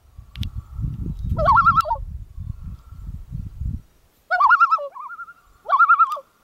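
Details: A loon on Jack's Lake, Veterans Memorial Park, Antigo, Wisconsin, gives three wavering, quavering mid-pitched calls, each about half a second long; a low rumble of wind or handling noise fills the first few seconds.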